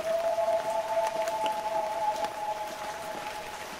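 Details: Loon giving a sustained, even wailing note, two parallel tones held for several seconds against constant rain-like background noise.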